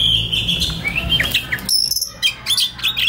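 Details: Oriental magpie-robin singing relaxed then konslet as master for young forest kacer; wavering whistled phrase, short slurred notes, then very high thin trills and chirps.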